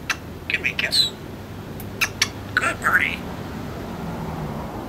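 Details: African grey parrot indoors in a small room, a talking bird that gives the dog orders and knows its phone number, uttering short speech-like syllables in quick bursts over about three seconds, then quiet room hum.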